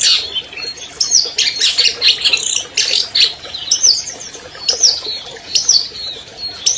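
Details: Champion albino long-tailed shrike singing, recorded as training material to draw song from silent caged shrikes: harsh, scratchy high bursts mixed with sweeping whistled notes, delivered in uneven phrases roughly every second.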